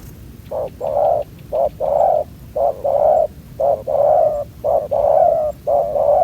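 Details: ['Young wild spotted dove, neck collar not yet fully grown, cooing aggressively at a ground decoy trap: deep, hollow coos in short and long bursts, repeated about once a second with brief pauses.']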